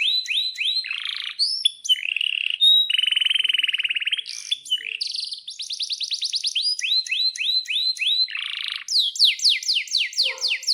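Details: Canary in long rolling song, played to set other canaries singing: varied whistles, buzzy churrs, a steady even trill and fast repeated sweeping chirps throughout.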